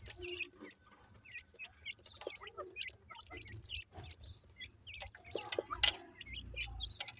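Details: Grey francolin chicks peep continuously, with short rising and falling high notes in irregular bursts. A few loud clicks and a low hum are heard in the background.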